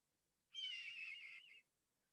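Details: A Red-tailed Hawk gives one hoarse, drawn-out scream lasting about a second, harsh and high, sagging slightly at the end; no other sounds. It is the call TV commercials often pass off as a bald eagle's.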